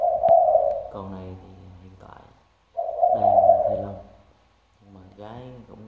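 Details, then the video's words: Decoy spotted dove with a deep 'thunder-bronze' voice, calling day and night; two loud, low coo phrases, each followed by a human voice speaking, another voice closing the clip. "cu gáy giọng sấm đồng, đủ bài bản (gáy, gù suốt ngày đêm)"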